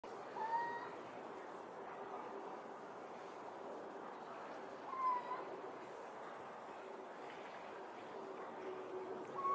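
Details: Male little owl at the Serpentine Gallery calling to his mate and one owlet in a nearby tree, giving a mellow, rising, mewing hoot about every four to five seconds over a steady background hiss.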